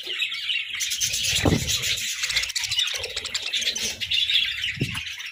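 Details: Group of budgerigars squabbling over treats, loud continuous warbling chatter and sharp chirps from several birds, mixed with low knocks and rustling.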